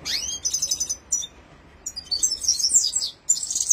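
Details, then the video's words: Red-fronted serin, also called Himalayan finch, singing a rolling song: high, rapid twittering phrases with trills and buzzy notes, broken by short pauses. "Top Red Fronted serin Rolling Singing / Himalayan Finch (the song of red_headed basbos is excellent"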